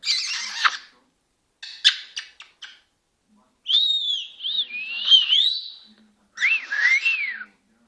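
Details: Senegal parrot talking: a raspy phrase, a short burst of clicks, then whistled, looping, word-like phrases and a final wavering call.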